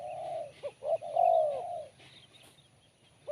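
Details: A spotted dove coos in sharp, crisp Kuk 1 style. A long low coo, quick clipped notes, then a drawn-out falling coo; a new phrase begins at the end.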